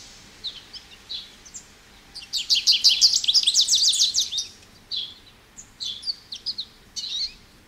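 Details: American goldfinch singing: a few sweet high chirps build into a rapid, dense twittering burst, followed by scattered slurred notes and brief pauses.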